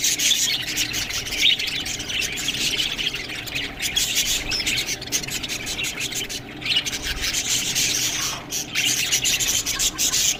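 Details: Budgerigars busy with green food give a long stretch of constant high-pitched twittering and squeaky warbles, broken by sharp clicks and brief quieter gaps.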